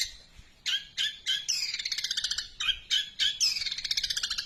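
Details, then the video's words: Long-tailed shrike song: sharp harsh notes leading into fast buzzy rattling trills, repeated in quick succession. "cendet nembak Greja super panjang"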